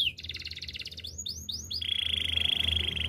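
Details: Spanish timbrado canary song used for training: a rapid rattling trill, then four quick rising swooped notes, then a long steady metallic trill; faint low hum underneath.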